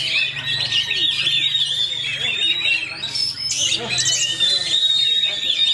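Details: Fighter-type Oriental magpie-robin (kacer) in fast, dense rolling song: continuous high warbles and whistles, a sharp burst of rasping notes halfway, with a low hum and faint background voices.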